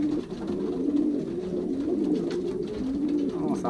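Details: Paired racing pigeons, males claiming nest shelves, in a Polish young-bird loft in 2023. Low, throaty coos roll and undulate almost once a second, several birds overlapping, with light knocking sounds and faint human voice in the background.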